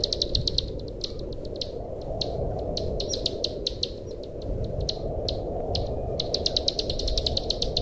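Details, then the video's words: Bar-winged prinia song used as a master and lure sound: bursts of sharp, high chirps repeated in quick runs with short pauses, over a steady low rumbling hiss. "suara masteran dan pancingan burung ciblek sawah jernih"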